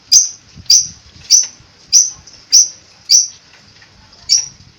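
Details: Long-tailed shrike, a cendet, giving sharp high chip notes repeated about every half second, seven in all, with a brief gap before the last.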